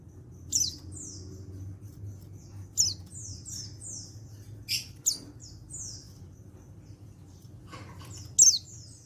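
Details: Calling to make other white-eyes respond, a male untrained white-eye from Pacitan (14/10/22) sounds a bright sharp chip followed by two or three high descending slurred notes, repeated every two to three seconds.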